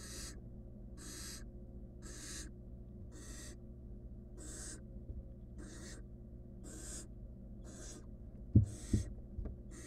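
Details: In a monitored nest box, a wild barn owl nestling attempts to eat a stolen rodent by itself, giving harsh hissing rasps at a steady pace, with a couple of loud knocks near the end.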